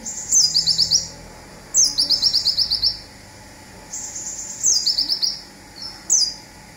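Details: Olive-backed sunbird, local bird, in its "zipper" song for training songbirds: repeated bursts, each a sharp high slur followed by a quick rattling series of short notes, with brief pauses between bursts.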